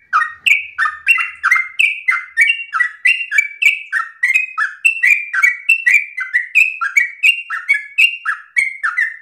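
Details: Energetic, long-breathed song of a yellow-vented bulbul for other birds to imitate, an unbroken stream of bright whistled notes, each a short downward or stepped slur, roughly three per second.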